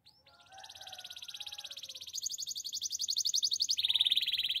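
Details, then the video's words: Spanish timbrado canary singing a sustained high rolling trill of rapid pulses that steps upward partway through, then shifts to a slightly lower roll near the end; a faint low warbling runs beneath the opening. "Spanish timbrado canary singing!"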